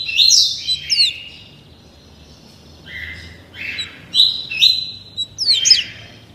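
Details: Thirty-day-old captive-bred double-collared seedeater practising the tuí tuí Alcântara song; loud whistled opening notes with steep down-flicks, a brief pause, then lower slurred notes building back to high whistles and chips.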